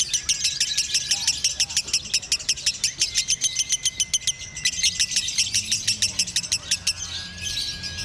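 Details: Caged lovebird in Indonesia, praised for an extreme singing style: a long fast run of sharp high chattering notes, several per second, then a looser burst of rough twittering at the end.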